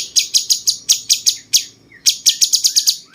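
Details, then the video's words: Bulbul known locally as cucak cungkok, sounding like cucak jenggot and used to train other songbirds, gives fast, sharp, high chirps in two runs split by a brief gap with a soft whistled note. "masteran paling banyak diminati burung jawara!!!cungkok rasa jenggot"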